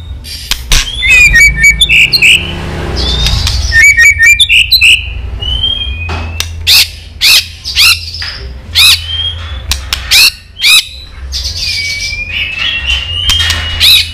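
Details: 'Tạch líu' female white-rumped shama calls used to excite males for fighting: dense trains of sharp clicks, short whistled phrases, and a long slurred whistle near the end.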